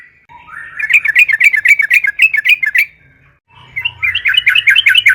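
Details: Energetic yellow-vented bulbul song meant as a lure to get others singing: two long bubbling, gurgling phrases of quick repeated chirps, about four notes a second, split by a short silence.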